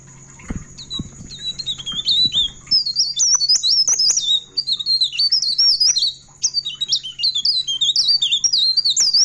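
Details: Long rolling ngerol song of a pied bushchat at midnight: a few low thumps at the start, then nearly continuous rapid high whistled phrases, stepping and looping, with short pauses between bursts.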